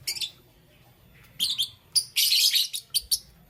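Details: Lovebirds of green, yellow and lutino colour in the morning give sharp, raspy high chirps, one longer grating burst near the middle, then two short clipped notes.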